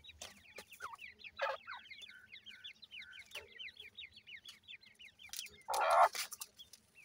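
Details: Grey francolin chicks early in the new season, a dense chorus of short, high, sliding peeps repeated rapidly by several birds at once, with a few lower steady notes and loud rustling bursts near the start and end.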